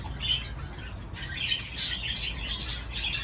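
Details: A budgie playing on its swing utters one squeaky chirp, pauses, then breaks into a run of harsh, twittering warble notes.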